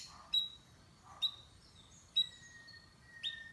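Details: Canary giving four sharp high chirps spaced about a second apart, each trailing into a thin, level whistle.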